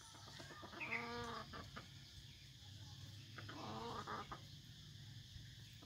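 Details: Vietnamese F1 red junglefowl used as a decoy: two harmonic, slightly rising calls about three seconds apart, each under a second, over constant low background hum.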